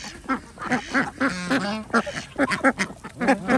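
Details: A flock of ducks being fed on a village duck farm in Andhra Pradesh, India, quacking loudly in rapid, uneven bursts of harsh nasal notes, about four per second, several birds calling over one another.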